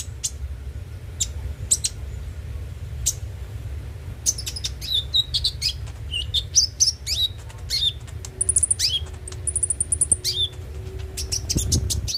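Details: Konin (kolibri ninja) singing, played as a lure to stir a bird into song: scattered sharp high ticks at first, then quick twittering phrases and long, thin, very high trills, over a constant low background hum.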